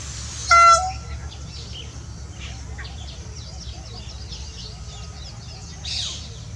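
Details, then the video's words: Peacock calling while dancing: a single loud, brief, harmonic cry near the start, followed by soft chirping from small birds in the background and a short rough burst near the end. "Peacock voice with dance"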